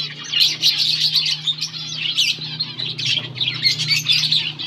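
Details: Finches chirping while eating green food, August 17, 2024: rapid, overlapping shrill twitters from several birds, pulsing in loudness, over a steady low electrical hum.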